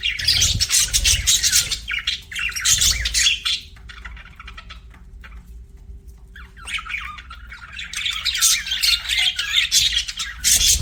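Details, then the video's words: Budgerigar chirping in two loud bursts of rapid scratchy chatter separated by a quieter few seconds with only faint low hum and soft sounds. "BUDGIE CHIRPING SOUNDS"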